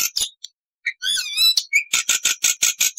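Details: Black-winged starling (jalak putih) in loud, varied 'full isian' song: scattered sharp notes, a wavering whistled warble, a short rising whistle, then a fast run of shrill, harsh repeated notes.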